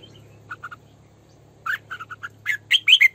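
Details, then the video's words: Female red-whiskered bulbul decoy singing 'sổ bọng căng': three soft short notes, then a lively run of quick chirps building into loud, rolling whistled phrases, with a steady low hum behind. "Tiếng Chim Chào Mào Mồi Hót Sổ Bọng Căng"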